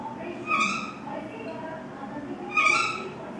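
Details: Common myna, known as shalik pakhi, feeding its young outside the nest: two loud, rasping squawks about two seconds apart against constant background noise.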